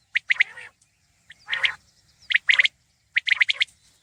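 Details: Common quail calling in clear three-note bursts, sharp liquid pips grouped in quick triplets roughly every second, with softer raspy churring between the phrases.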